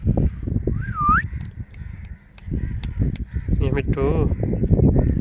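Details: Pet parrot talking: a clear rising whistle near one second, then a wavering, nasal, harmonic-rich utterance around four seconds, set over constant low rumbling background noise.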